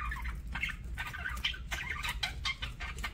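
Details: Pet parakeets eating: dense run of quick, harsh chirps repeated several times a second, with a constant low hum underneath.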